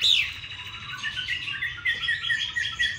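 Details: Chinese hwamei from Hanoi, praised for its voice, gives a softer, tangled song of warbled trills and short whistled notes, busier and less clearly phrased.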